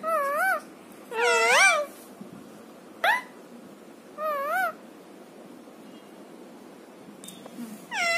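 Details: Pet parrot known for talking repeats wobbling, harmonic, mewing calls about every one to one and a half seconds, five or six in all, with short gaps of room quiet between them.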